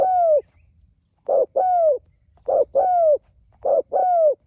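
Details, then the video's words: Spotted dove calling to fellow doves: a series of hollow two-note coos, a quick short note followed by a longer falling one, repeated about every 1.2 seconds, with faint high-pitched insect-like hiss behind. "Suara Burung Tekukur Gacor Memanggil Temanya"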